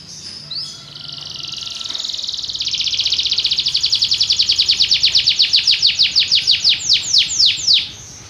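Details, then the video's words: Belgian canary singing a long rapid trill of high notes that slows into separate downward-sweeping notes near the end, loud and clear over a quiet background. "espetacular canto canário belga"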